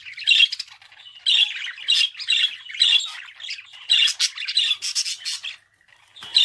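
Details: A budgerigar chatters in repeated harsh squawky bursts, about two per second at first, linked by softer twitter, then a short quiet gap before a final loud squawk.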